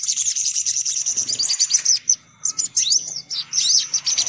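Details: Crimson sunbird in a lure recording for attracting sunbirds: rapid, very high, thin chirps and twitters in a busy, nearly continuous stream, broken by one short pause.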